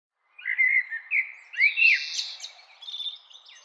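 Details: Common blackbird singing: a low, fluted warbling phrase with mellow whistled notes, then a rising swoop into a higher, squeaky twittering flourish that fades out. No other sounds.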